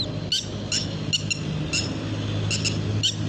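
Red-wattled lapwing giving short, sharp, shrill notes, singly or in quick pairs, about every half second, over a steady low rumble of background noise.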